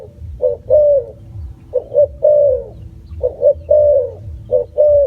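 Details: Spotted dove giving three repeated phrases, each two short hollow notes leading into a longer, slurred, downward coo, spaced about one and a half seconds apart.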